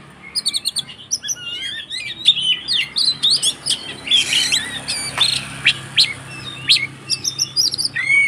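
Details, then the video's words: Oriental magpie-robin (kacer) giving its frantic 'konslet' fighting song, used to provoke other magpie-robins into singing; a dense run of high, sharp whistles, chirps and rapid trills, with quick up-and-down slurred notes and short buzzy bursts. "SUARA BURUNG Kacer konslet TARUNG untuk PANCINGAN KACER agar ikut KONSLET"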